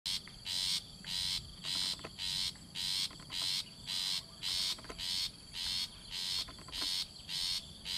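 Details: A very young rufous-backed shrike chick being fed by its mother gives harsh, hissing rasps, short bursts repeated steadily almost twice a second, high-pitched and scratchy.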